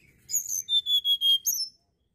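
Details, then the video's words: A Sunda blue robin delivers a clear phrase of about six evenly spaced, high, pure whistled notes, finished with a brighter rising-falling note, in an otherwise quiet setting. "TLEDEKAN GUNUNG"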